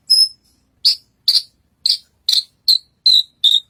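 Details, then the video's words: Horsfield's bushlark singing actively on a contest stage: eight sharp, bright chirps with rasping overtones, spaced about half a second apart after an opening note, dropping slightly lower in pitch toward the end; no other sounds. "Burung branjagan gacor naik panggung"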